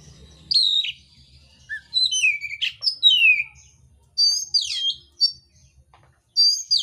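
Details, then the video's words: Mintal oriental magpie-robin in contest song with rough filler phrases: high whistled slurs falling in pitch, a brief low note, then clusters of sharp sweeping whistles after a pause. "kacer mintal tarung bongkar isian kasar"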